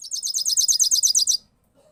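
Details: European goldfinch delivering a one-sound rolling song, a fast even series of about twelve high, buzzy trilled notes over roughly one and a half seconds before stopping, with a faint low rumble beneath.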